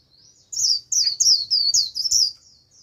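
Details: A decoy white-eye's lure song: a lively, high-pitched tumbling warble of rapid descending slurs lasting about two seconds, bright and continuous, with faint low knocks behind.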